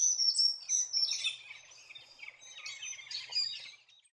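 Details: A large noisy flock of Metallic Starlings, spring migrants to Far North Queensland forests, chatters: high, wheezy, overlapping calls pour out continuously for about four seconds, with nothing else heard.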